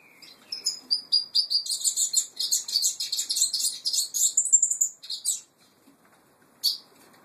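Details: Brown Peruvian canary in a sustained burst of high, fast warbling song, strings of rapid chirps and trilled phrases running about five seconds before a short pause and one final sharp note.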